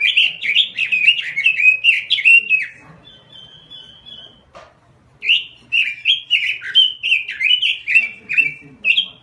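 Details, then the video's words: Robin singing in lively, chatty 'gacor' style: bursts of fast warbled, slurred whistles that rise and fall, a pause with a thin steady whistle, then another run of quick varied phrases. Faint low background murmur. "SUARA BURUNG ROBIN GACOR"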